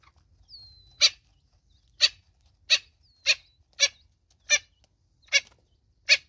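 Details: Natal spurfowl mother with chicks in South Africa: eight harsh, rasping bursts about every 0.7 to 1 second, preceded by a thin, high, slightly falling whistle.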